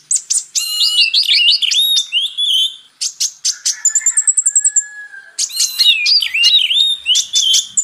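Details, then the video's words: Kolibri ninja, or purple-throated sunbird, singing on a tutoring track: jumbled high chips and trills, a rapid buzzy rattle of very high notes, a lower drawn-out whistle, then more scratchy twittering. "MATERI KACER X KONIN (Kolibri Ninja) masteran ampuh untuk Kacer meningkatkan emosi"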